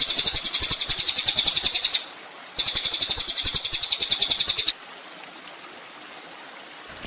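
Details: Olive-backed sunbird (kolibri ninja) song from a songbird training recording: two bursts of very high, fast pulsing trills, each about two seconds long, separated by a short pause, then quiet with a clipped note at the end.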